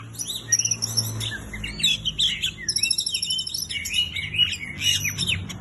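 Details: White-rumped shama in full, very active song: dense run of high whistles, rapid trills and buzzy rattles, with varied up-and-down slurred notes, continuous throughout over a low background hum.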